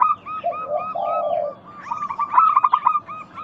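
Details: Local zebra dove lure sound meant to get doves calling. A long, low, purring coo is followed by a quick series of bright, high clipped notes.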